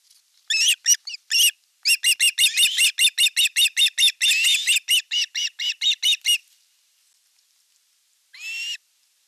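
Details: Ospreys at a Finnish nest in Satakunta on 5 August 2024, with the elder chick attacking the younger at a fish delivery. A rapid run of sharp, whistled chips lasts about five seconds, then near silence and one final call.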